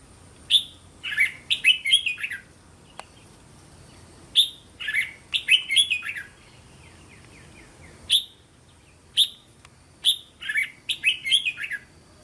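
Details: Caged-bird training recording of a red-whiskered bulbul linked song, phrases of three to five syllables: three bouncy whistled phrases, each opening with a sharp note and running into quick warbles, spaced about four seconds apart.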